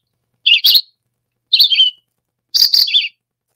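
Red-eyed Vireo song: three short, slurred phrases about a second apart, each a quick up-and-down burble, like a robin but choppier and less tuneful.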